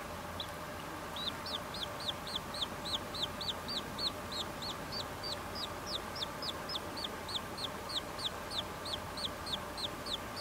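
A Short-clawed Lark nestling begs with thin, high, slightly rising squeaks, about three or four a second and steady throughout, over a soft background hiss.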